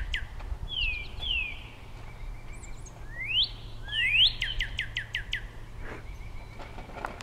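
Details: Male Northern cardinal singing to his mate, giving slurred whistles that fall, then loud rising sweeps, then a quick run of short chipped notes, with faint background hum.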